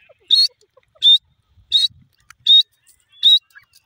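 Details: Francolin, known locally as irani dakhni teetar, repeating a short, shrill, buzzy note five times at an even pace of roughly 0.7 seconds, in a quiet setting.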